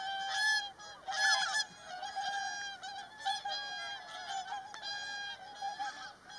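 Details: Whooper swans fighting in a group brawl: loud, overlapping nasal honking trumpet calls, some harsh and rising, from several birds calling almost continuously with bursts every second or so.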